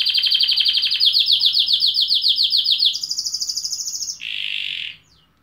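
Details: Canary trilling loudly: a long series of quick repeated notes gradually rising, switching to a faster higher trill, then a short low buzzy rattle before silence.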